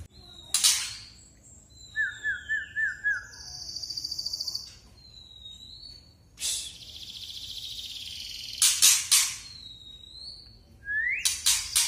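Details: A male white-rumped shama of the trotol type mixes clear, high whistles and a quick rippling trill with repeated harsh, crackling kretekan rattles. The recording is used as a lure to get young shamas singing.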